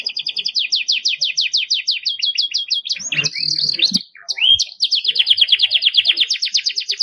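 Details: Spirited Belgian canary song for tutoring young birds: rapid high trill of sweeping notes, interrupted midway by a sustained whistled tone, a low rumble and sharp clicks, then the quick rolling trill returns.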